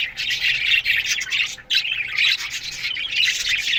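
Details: Morning chirps of aviary-kept Australian budgies in a colony: rapid squeaky warbling from several birds in short bursts separated by brief dips.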